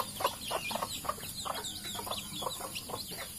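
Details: Captive junglefowl from Sumatra, kept where its food and water dishes are cleaned: short clucks repeated roughly every third of a second, with thin high chirping of small birds throughout.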